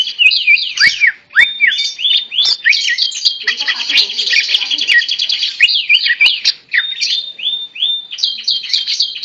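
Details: Continuous song from a tame greater green leafbird held by hand, with cascading downward-sliding whistles in quick series and a harsh buzzy passage midway.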